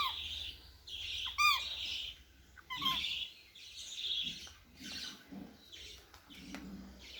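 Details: A home-bred pet Cockatiel (Nymphicus hollandicus) makes a varied run of different sounds: harsh squawks, chirps and short whistled notes.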